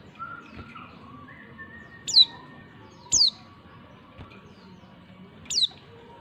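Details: A female white-eye, used as a lure to provoke males into calling, gives three thin, high, sharply falling notes spaced unevenly over a few seconds, over a faint background hum.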